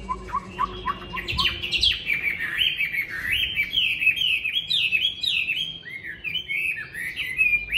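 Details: A captive Chinese hwamei bred for fighting, in Hanoi as strong cold wind blows, opens with low repeated whistles, then launches into a loud, fluid stream of high rolling and swooping phrases.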